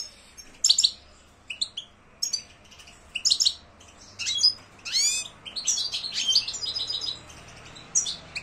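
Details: European goldfinch song: bursts of bright, high twittering notes and quick upward-sweeping chirps, separated by short pauses, over faint low background hum.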